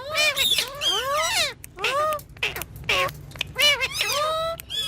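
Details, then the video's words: Talking pet green ringneck parakeet voicing drawn-out, wavering harmonic syllables that rise and bend like mimicked words, several phrases within five seconds, with low background hum. "Green Ringneck Talking Parrot"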